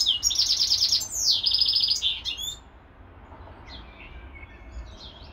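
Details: Caged European goldfinch housed with a hybrid finch, giving two rapid dry trilled phrases followed by short twitters, then falling mostly quiet apart from a few faint distant chirps.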